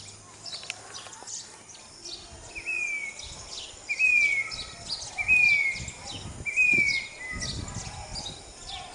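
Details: Grey-bellied cuckoo (Chatak) calling from a backyard in Vidyanagar, Karad: four drawn-out whistles, each sliding gently downward in pitch, spaced about 1.3 seconds apart, with higher chirps of other birds scattered throughout.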